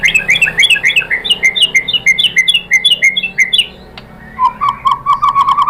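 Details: Provocation song of a white-rumped shama: quick repeated whistled notes in a bouncing pattern, a brief lull, then a run of lower, evenly repeated mellow whistles.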